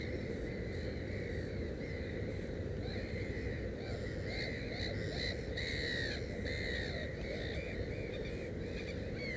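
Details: Black-headed gull at its nest with three chicks, giving a series of short, harsh, arched calls with clear overtones, some in quick pairs, over a steady low rumble of background noise.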